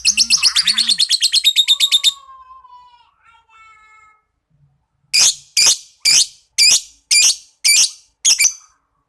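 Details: Young pet lovebird learning its chattering trill, giving a fast run of harsh buzzy notes for two seconds, a faint whistle, then seven loud rasping chirps about half a second apart.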